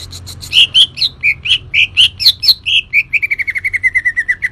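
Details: Green leafbird in lively song: full, rich chirped notes swinging up and down, then a quickening run of evenly repeated mid-high notes to the end.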